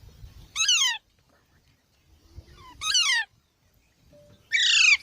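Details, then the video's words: A green parrot makes three loud, harsh screeches, each a strong downward-sweeping squawk, spaced about two seconds apart, with short silences between them. "Funny Parrot Sounds"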